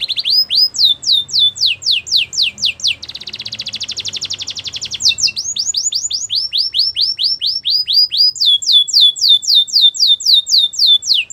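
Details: Belgian canary singing repeated high downslurred notes about four per second, broken by a dense rattling trill midway, then resuming the rhythmic swooping phrases.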